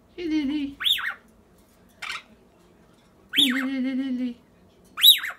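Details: Lily, a very social classroom pet Rainbow Lorikeet that squawks constantly for attention, gives three sharp rising-and-falling screeches, each under half a second, between a person's lower spoken words.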